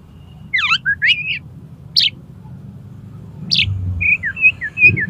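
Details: Oriental magpie-robin challenging a rival to fight: sweeping whistled slurs and chirps, then a run of short level whistles rising and falling, over low background hum.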